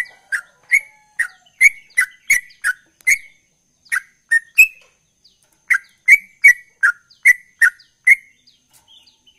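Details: Sooty-headed bulbul, a ropel bird in full voice: bursts of short whistled notes, about three per second, broken by brief pauses, with one higher drawn-out note midway.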